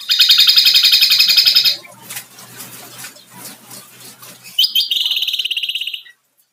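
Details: Kombo song of a kecial, or white-eye: a loud, rich, buzzy trill, then a noisy gap, then another high, rattling trill before silence.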